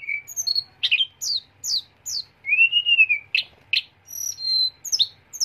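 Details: Sunda robin (teledekan gunung) singing a sharp, rolling song. Clear, high whistled notes tumble in quick falling slurs, then a long arching whistle, followed by more sharp downslurred notes and brief trills, bright and loud against near silence.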